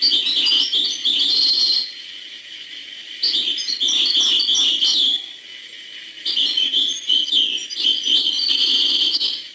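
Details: European goldfinch, hbal song style, in three long bouts of fast, high, jangling twitters and trills, each separated by a short quiet pause.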